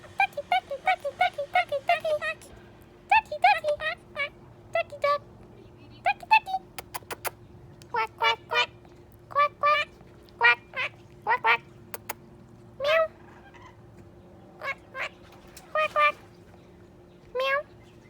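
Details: A pet monk (Quaker) parakeet at home in Texas during the pandemic lockdown talks in short, clipped bursts of human-like words with a raspy, nasal tone.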